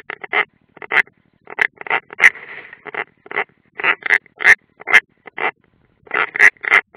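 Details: European roller at the nest, unringed, on the Ādaži training ground live camera, 30 June 2016: a steady run of short grating, crackly notes, several per second, with one drawn-out hoarse note early on.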